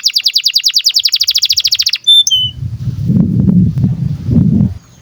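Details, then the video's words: Breeding-condition canary, used to train young birds: a quick even trill of short falling notes for two seconds, a brief thin whistle, then only low rumbling noise. "KENARI GACOR DURASI PANJANG Cuit CUIT BIRAHI UNTUK PANCINGAN & MASTERAN Kenari PAUD AGAR BUNYI"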